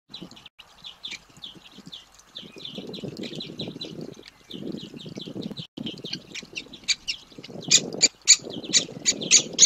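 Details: Young great spotted woodpeckers begging while being fed: rapid, repeated high squeaky chirps, about three or four a second, growing louder and more urgent near the end, over a low rustling rumble.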